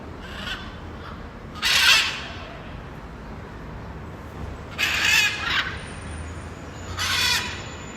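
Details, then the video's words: Wild blue-and-yellow macaw (Ara ararauna) giving three loud, grating screams at irregular intervals of about three and two seconds, with a fainter call at the start and a constant hiss underneath. "Canto de Arara, Arara Gritando, Som de Araras | Arara Canindé"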